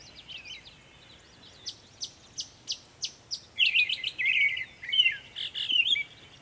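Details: Northern mockingbird singing many sounds in Savannah, New York, 23 May 2021: six evenly spaced sharp clicks about every third of a second, then loud chattering squeaky phrases.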